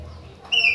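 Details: Chopi blackbird of the Bahia type in persistent song: a single clear, steady whistled note with an overtone starts abruptly after a quiet stretch of low hum.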